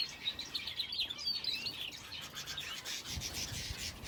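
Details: Several finches in an aviary with a canary call in a loose, irregular run of quick high chirps, about four per second, fading toward the end as a low rumble appears.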